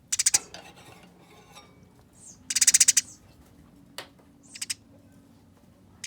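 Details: Harsh chatter from Eurasian tree sparrows in a fight. Two brief rapid bursts stand out against quieter stretches that hold a few isolated chirps and a click-like note.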